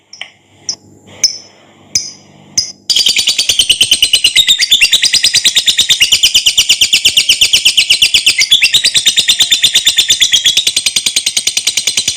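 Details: Lovebird's long ngekek trill, meant for training other lovebirds: a few separate sharp chirps, then an unbroken, rapid, harsh chattering rattle sustained for over nine seconds in a small room.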